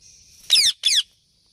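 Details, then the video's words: Ringneck parrot giving two loud harsh screeches in quick succession, each about a quarter second, with a faint steady high whine underneath. "Ringneck Parrot Cute Natural Video"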